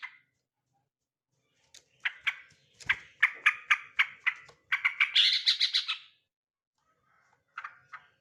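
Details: Male sooty-headed bulbul in a lively run of rapid, chattering chirps that quicken into a busy, higher-pitched twitter, then pause before a final short pair of notes.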